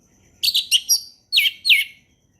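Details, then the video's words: Orange-headed thrush giving relaxed ngeplong song in the forest, used as a tutor for young birds. Three quick bright chirps come first, then after a short pause two loud notes swoop steeply downward. "SUARA HUTAN ANIS MERAH NGEPLONG SANTAI"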